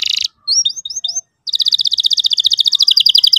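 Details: Canary lure song for teaching a young bird to sing: a short buzzy burst, a few quick upslurred whistled notes, then a long even trill of rapid chirps repeated several times a second.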